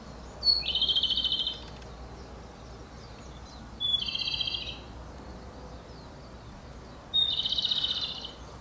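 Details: Japanese robin, counted among Japan's three famed songbirds, singing three loud phrases about three seconds apart; each opens with a sharp high note and runs into a dry, rattling trill lasting about a second, over a steady low background hum.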